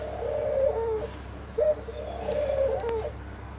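A dove gives soft, low cooing phrases, two drawn-out hoots in quick succession, with a steady low hum underneath.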